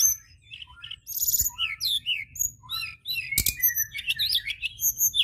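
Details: White-browed shortwing in vigorous song, used as a lure: jumbled high twittering phrases mixing sharp chips, slurred whistles and buzzy notes, broken by a short click, over a low background hum.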